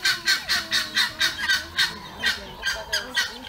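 A peacock gives a rapid run of harsh, nasal honks, about two or three a second for several seconds, with faint bird chatter behind.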